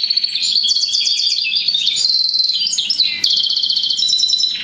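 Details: A hybrid of goldfinch and roller canary delivers a fast twittering song, mixing quick chattering notes with a short steady whistle, then a sudden break into rapid repeated trills.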